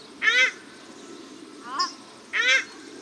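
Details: Paradise shelducks of both sexes call at Cornwall Park, Auckland, New Zealand: two strong, harsh honks two seconds apart with a thinner nasal note between them.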